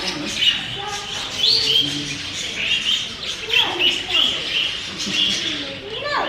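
Budgerigars chatter in a steady stream of high, scratchy chirps and warbled notes.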